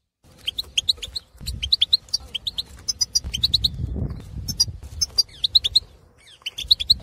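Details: European goldfinch, a wild Algerian male in breeding condition held in an aviary, singing to spur other goldfinches: continuous lively twittering of high metallic notes and trills over low rumbling background noise.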